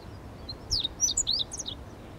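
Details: Meadow bunting, described as possibly a young bird not yet adult because of its weak singing, giving a short burst of high thin chirps and downslurred notes, several quick phrases in under a second, faint background hiss.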